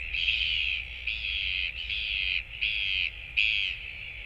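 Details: Royal Albatross chick waiting alone, no parents returning, nest camera, 24 July 2024: a series of five bright, bleating calls, each about half a second long, with short gaps between them, over faint low noise.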